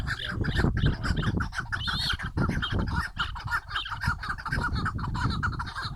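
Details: Chukar partridges singing: harsh clucking notes in quick, uneven runs, with some higher squealing notes partway through, over a strong low rumble of wind or handling noise.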